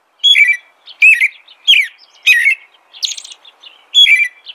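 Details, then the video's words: American robin caroling in a series of short, slurred whistled phrases roughly every half second to second, some notes rising sharply, with a higher, squeakier note in the middle. "American Robin Song.(Turdus migratorius)."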